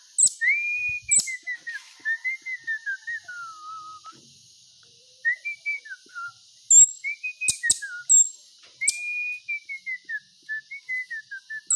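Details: Pet bird whistling a run of sweet, descending slurred notes in several phrases, broken by pauses and a few sharp clicks, over a faint steady hiss.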